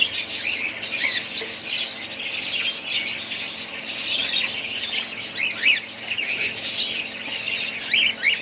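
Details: Budgerigars chattering as a group: dense, continuous high warbling and chirping with scattered harsh squawks and quick rising notes, steady throughout with brief dips in loudness.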